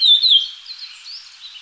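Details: Japanese grosbeak with a short, clear whistle that rises and falls, followed by quieter, fainter warbling notes.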